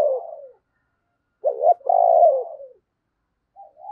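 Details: Spotted dove kept as a lure bird, calling wild doves: a soft falling coo, a pause, then a strong two-part phrase of a brief rising note and a long descending hoarse coo.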